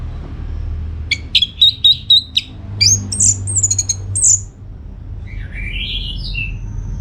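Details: Orange-headed thrush song for luring replies: about six rapid repeated high notes, then a cluster of piercing whistled slurs, a short pause and soft lower warbled phrases over faint background hum.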